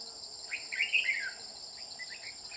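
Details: Red-whiskered bulbul, a bell-voiced bird being trapped with a decoy: a quick run of clear, slurred whistled notes rising then falling, followed by softer chirps against constant high-pitched insect buzzing.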